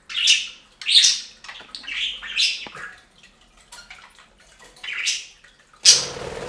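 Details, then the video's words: Budgerigars kept as pets taking a bath on a fountain, a rapid run of sharp chirps and warbles, then a sudden splash of water at the end. "Best Budgie Bath EVER! + Budgie sounds"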